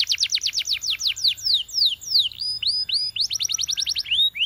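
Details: A Belgian canary sings a rapid, varied song for training other canaries: quick falling whistled notes, slower drawn-out down-slurs, short rising notes, then another fast burst of repeated notes.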